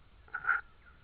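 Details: Tawny owl owlet in Estonia, recorded on 12 May 2013 in the afternoon while puffing itself up to look big, giving a single short hoarse mid-pitched call lasting about a quarter second, with a soft rustle just before it.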